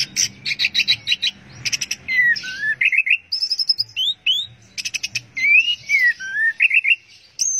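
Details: Orange-headed thrush singing in the 'teler' style: bursts of rapid buzzy high notes, then slurred falling whistles and short rising whistled phrases, repeated in varied sequences over faint low background hum.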